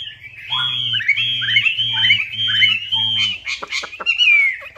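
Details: Lure recording of a Chinese hwamei, meant to prompt a quiet bird to sing: four rising-then-falling whistled phrases in a row, each paired with a low buzzy hum, then sharp clicks and a final slurred whistle.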